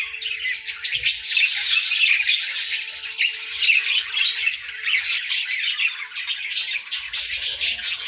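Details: Dense chirping and scratchy warbling from many budgerigars, kept breeding over the cold season, runs throughout over a faint constant hum and a few low knocks.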